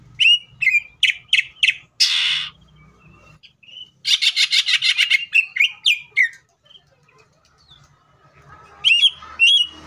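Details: Greater green leafbird singing hard to trigger other leafbirds: sharp chipped whistles, a harsh noisy burst, a rapid rattling trill, then more clipped notes after a quiet stretch.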